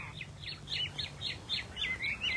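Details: Very rare Chinese hwamei of a pale silver-patterned colour variety, praised as an excellent singer: rapid run of bright chirping, slurred notes ending in clear whistles, over steady low background hum.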